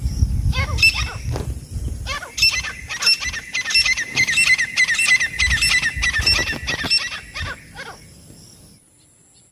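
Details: Partridge call series: a long run of loud, sharp, repeated ringing notes at a fairly steady pace, roughly one and a half per second, with low rumbling background noise.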